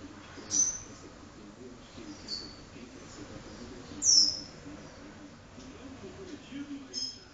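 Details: Indoors, a caboclinho of the do-re-mi vibrasom song style gives scattered high, bright descending notes a couple of seconds apart against a constant low room hum.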